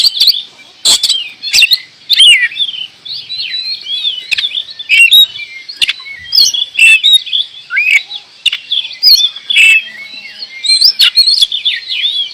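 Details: Oriental magpie-robin (kacer) in extended gacor door song: an unbroken flow of varied whistles, chirps and chatter, repeatedly cut by loud sharp clicks, keeping up for over twelve seconds.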